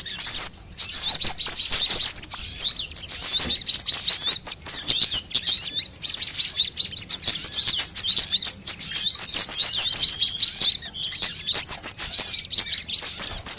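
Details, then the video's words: Various sunbirds on a lure track used to attract and tutor birds: continuous, very high, sibilant twittering with rapid clicks and squeaky notes, a busy unbroken chorus throughout. "suara pikat semua jenis burung kolibri"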